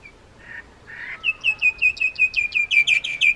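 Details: Indian myna opening with two rasping notes, then a fast, steady series of a dozen bright, clipped chirps repeated several times a second, growing louder toward the end.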